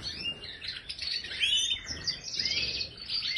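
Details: Major goldfinch in an aviary pouring out an energetic, high-pitched jumble of twitters, chirps and fast liquid trills, pulsing louder and softer in rapid phrases.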